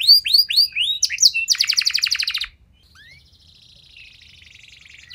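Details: Canary song used as a lure for other canaries: a few rising whistles and a fast buzzy trill, then the song fades to a faint, distant high trill for the last half.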